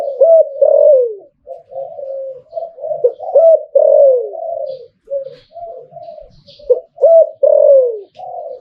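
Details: Zebra dove crowing clearly, repeating rapid rolling coos interspersed with short downward-sliding notes, about three phrases in nine seconds, quiet background.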